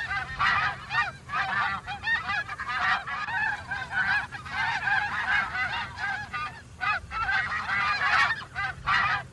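A flock of geese honks continuously, harsh nasal calls overlapping in quick succession with barely a pause; a low hum runs underneath.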